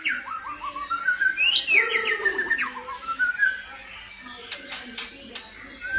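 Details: Pure white albino White-rumped Shama giving varied whistled phrases, rising and falling, followed by several sharp high clicks and quieter notes.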